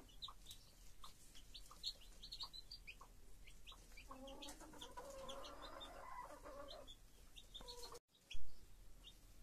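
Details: Hen caring for her chicks: a steady patter of high chick peeps, then a longer, harmonic, low murmuring call from the hen in the middle, followed by a short loud knock.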